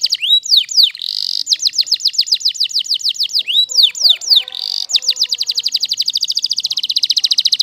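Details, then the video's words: Waterslager canary song in which bursts of quick falling whistles alternate with a sustained trill, and a long, fast, even roll at the end. "Canary Waterslager Singing"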